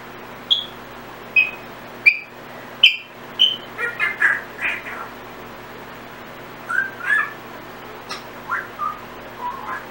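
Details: Timneh African grey parrot kept as a pet, making random sounds and pieces of learned whistles: a rapid series of sharp, high, clear whistled chirps, some sliding downward, followed by lower mixed whistles and squeaks after a short pause.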